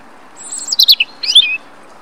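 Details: Brief phrase of European robin song from a Dortmund park in late March 2013: high, thin descending notes breaking into a quick twittering cluster and ending on a short warbled whistle.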